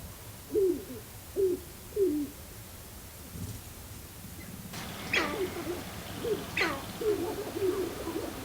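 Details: Sharp-tailed Grouse courtship displays at a lek near a blind in northwest Minnesota's Glacial Ridge NWR in early April, on snow after a storm, around 7:30 am: low, hollow coos about once a second, then several birds join with more coos and sharp clucking cackles.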